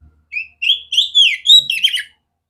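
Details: Singing female oriental magpie-robin, recorded to be played to other magpie-robins; a soft opening note, then a run of loud sliding whistles building to a brief warbled finish, with a faint low knock.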